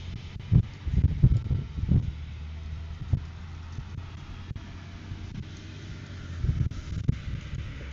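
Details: Outdoor wind buffeting a microphone with low rumbling vehicle noise and a few thumps, no animal voice heard.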